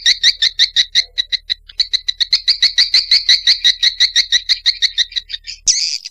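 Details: Swiftlet calling, recorded or shared on 18 August 2021: a fast, steady run of sharp paired-tone chirps, several per second, ending in one short harsh buzzy burst.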